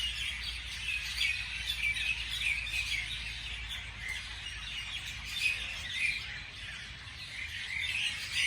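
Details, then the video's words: Early-morning birds chirping in a thick, overlapping mix of short high tweets and trills, steady throughout with slight swells in loudness. "美丽的早上美丽的鸟的鸣叫beautiful morning beautiful birds chirping sounds calls"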